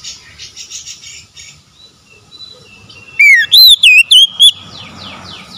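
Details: Oriental magpie-robin (kacer) song for reviving a stressed, mute bird. Soft twittering opens the recording, then a loud phrase follows: a descending whistle and four bright looping whistled notes, ending in quiet chatter.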